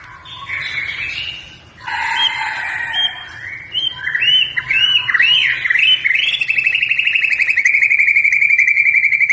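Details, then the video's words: Varied white-rumped shama song used as a lure for other birds: harsh scratchy phrases and swooping whistles building into a steady fast trill toward the end. "Burung murai batu gacor bagus untuk pancingan burung biar bunyi"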